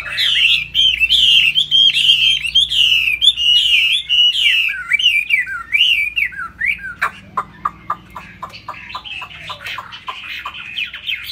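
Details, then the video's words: Bowing and flapping its fig-leaf tail, a laughingthrush sings high: a steady run of bright slurred whistles for seven seconds, followed by sharp clicking notes and scattered chirps. "Hót cao cầu đập đuôi khướu"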